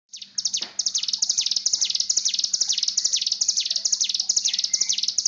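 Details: Mountain tailorbird breeding-condition call used as a lure to train a bird to sing: loud, rapid high-pitched notes, each sweeping downward, repeated about twice a second in a steady chattering series with faint hum below.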